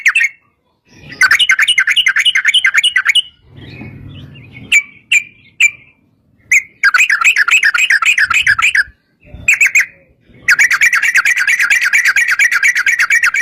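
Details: Long rapid 'ropel panjang' trill of a sooty-headed bulbul, used to coax others to sing: extended wavering chattering runs broken by short gaps and isolated clipped notes, with low muffled noise midway.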